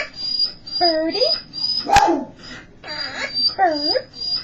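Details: A 7-year-old female monk (Quaker) parakeet perched on her owner's shoulder says "bird" three times in short, raspy, speech-like bursts, with one sharp click between and a thin steady high whine behind.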